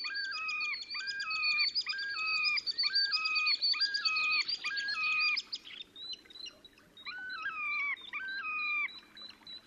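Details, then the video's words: A Terek sandpiper's display song, recorded in Russia's Oka Nature Reserve on 30 April 2019: a fast, tinkling chatter laid over regularly repeated two-step whistled phrases, which loosen into scattered notes near the end. "Мородунка Xenus cinereus, токовые крики / Terek sandpiper song"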